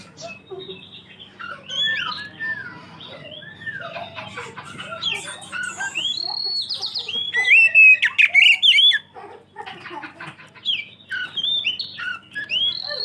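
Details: Loud, lively kacer, the Oriental magpie-robin, in lure song for other magpie-robins: a long, varied medley of short whistles, slurred chips and harsh squawks, building to a dense burst of rapid notes before pausing and resuming.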